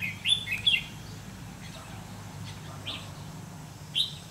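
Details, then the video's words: Red-whiskered bulbul acting as a decoy in a trap, challenging rivals: loud clear whistled two-note bursts at the start, then softer scattered notes and a final sharp whistle, over low steady background hum. "Bẫy chào mào lăng săng ché-cánh các kiểu"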